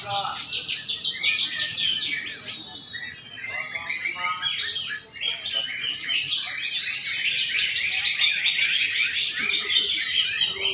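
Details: Greater green leafbird singing at a songbird contest in Banten on Sunday, 11 February 2024: a continuous, rapid, varied warbling of whistled and chattering phrases, with other contest birds and a crowd murmuring in the background.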